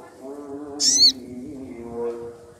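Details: Little spiderhunter, possibly a female calling a male, gives a single sharp, high, slurred note lasting about a quarter second over a steady low droning hum; a lure call to provoke males into seeking a rival.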